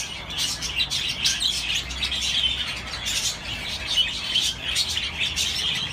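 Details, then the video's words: Budgerigars chirping: a dense, unbroken chatter of high, scratchy warbles and short sharp chirps from several birds at once, with brief brighter squeaks standing out near the middle and end. "تغريد طيور الحب البادجي"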